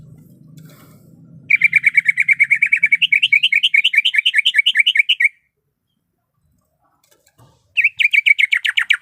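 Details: Female greater green leafbird in heat calling the male: a long, rapid chatter of clear chirps, steady at first then rising into looping higher notes, then silence and a fresh burst of descending chirps.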